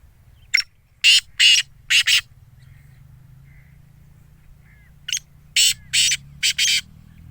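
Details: A Sindhi black francolin, offered for sale and said to call through the day, utters loud rasping notes in two bursts of about five, separated by a quiet gap of nearly three seconds. A steady low hum runs beneath.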